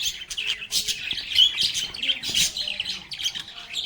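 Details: Chattering lovebirds at play, a busy mix of shrill chirps, scratchy squawks and short whistled notes crowding over one another throughout.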